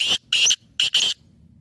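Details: {'text': 'Sindhi black francolin (Kala Teetar) calling in the speeder style described as pure lakka nasal: four harsh, grating, high bursts in two pairs, each lasting under a quarter second, then quiet low background rumble.'}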